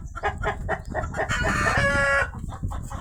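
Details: Rooster calling out after a hen laid eggs: repeated short clucking bursts, then a longer drawn-out harsh cry, with a man talking and low background noise.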